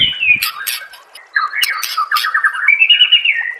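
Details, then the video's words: White-rumped shama song from a compiled training recording for shama keepers: a rich, varied run of whistled phrases and slurred notes, some rising and falling, mixed with sharp clicks and short buzzy bursts, ending in a sustained high whistled trill. "MASTERAN SPESIAL TAHUN INI AUDIO JERNIH KOMPILASI MEWAH UNTUK SEMUA JENIS BURUNG MURAI BATU"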